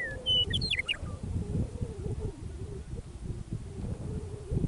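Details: A meadowlark sings in prairie near Michichi Dam, Drumheller, Alberta, Canada, on an early spring evening after winter: one quick phrase of clear, flute-like, downward-tumbling whistles, then low wind rumble and steady hum.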